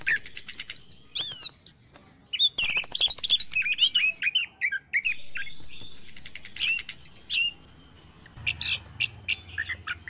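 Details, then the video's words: An orange-headed thrush sings in the morning, a lure call for its kind: a fast, rich stream of varied whistles, trills and sharp chirps, almost without pause, with a faint low hum near the end. "PANCINGAN ANIS KEMBANG DI PAGI HARI"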